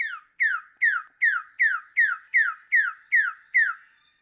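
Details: A Wilson's bird-of-paradise (Cicinnurus respublica) gives ten loud, downslurred notes in a steady series, about two or three per second, with nothing else heard.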